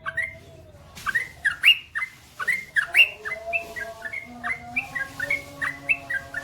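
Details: Continuous long song of a yellow-vented bulbul, called trucukan: rapid chains of bright, slurred chirps, some swooping down then up, delivered about three per second with little pause, over faint background hiss.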